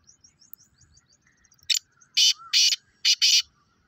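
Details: Black francolin calling with loud grating buzzy bursts in a rhythmic phrase of one, two and then two more, after faint small chirps from other birds.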